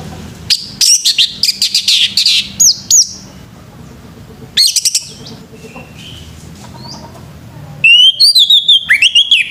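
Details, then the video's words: Male orange-headed thrush singing in the morning: loud bursts of sharp, rapid high whistled and chirping notes with sweeping slurs, delivered in clusters separated by quiet pauses, with softer distant whistles in between. "TERAPI ANIS MERAH JANTAN PAGI HARI‼️SUARA ANIS MERAH PAGI HARI‼️"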